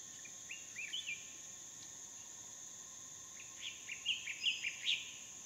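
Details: Hair-crested drongos perched by a small waterhole in a dry stream bed, dry season, Phnom Prich Wildlife Sanctuary, Mondulkiri, Cambodia: a few soft chirps, then a louder burst of clipped, twangy notes, with constant high insect buzzing behind.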